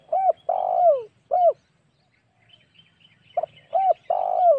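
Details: Spotted dove cooing as a hunting lure to provoke wild doves. Deep, hollow coos with a drawn-out falling note, a pause, then the phrase starts again, with faint background hiss.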